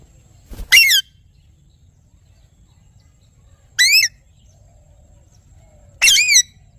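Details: Parrot calling with three loud, grating screeches, each a bit over a quarter-second long with a bending, wavering pitch, spaced about two to three seconds apart against a quiet low hum.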